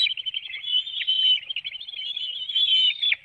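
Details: Bald eagles at their Hanover, Pennsylvania nest at 7:04 a.m. on 9 June 2019 during a fish feeding of the young, captured by webcam; a continuous high chatter of quick piping notes with a few sharper downward slurs.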